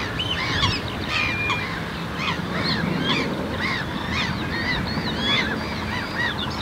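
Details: Black-tailed godwits of the islandica subspecies at Marshside RSPB Reserve, Southport, Lancashire, on June 19th 2014, recorded with a Lumix GH4: many overlapping short, nasal, rising and falling calls from a flock, over a steady low rumble.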